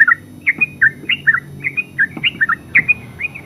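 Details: Yellow-vented bulbul, called terucuk locally, singing softer, slightly spaced gurgling notes in twos and threes, with a few faint knocks in the background.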